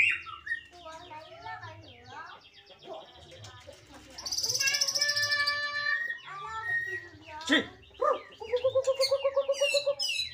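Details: A white-rumped shama in Cilacap, Indonesia, delivers 'muntah beling' song: tangled chattering and whistled phrases, a loud high buzzy stretch, then a rapid series of about fifteen identical clipped notes at the end.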